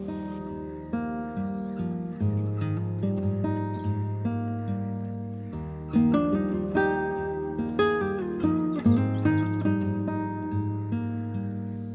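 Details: Only gently strummed and plucked acoustic guitar music plays, with no bird or other animal voices heard.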